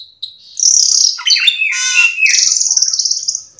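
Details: Cucak keling in 'gacor teler full isian' style, played as a lure to get other cucak keling singing: rich, fast jumble of whistles, buzzy bursts and high trilled phrases, loud and continuous.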